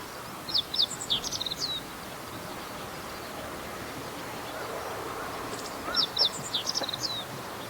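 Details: Meadow bunting song recorded in spring among reeds of a fallow rice field, April 2021: two brisk high phrases of clipped chirps and descending slurs, separated by about four seconds of quiet background hiss.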